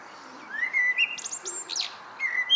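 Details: Common blackbird in evening song, giving a clear rising fluted whistle, then a burst of high, thin, squeaky twitters and another whistled note at the end.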